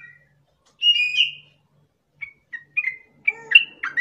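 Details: Sooty-headed bulbul song used to train and provoke caged birds. A slurred whistle is followed after a pause by separate short whistled notes that thicken into a busier cluster at the end.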